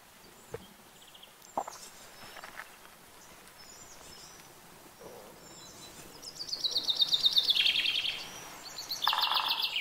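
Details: Common chaffinch song over a noisy outdoor background with scattered faint clicks and other sounds. A loud descending trill of repeated notes rises out of the noise, and another song begins near the end.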